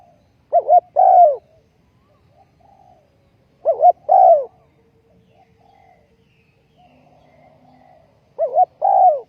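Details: Ground decoy spotted dove calling during bird trapping on 20 April 2020. Three spaced phrases, each a short two-part stutter followed by a drawn-out, downslurred coo, with quiet pauses of about three seconds between them.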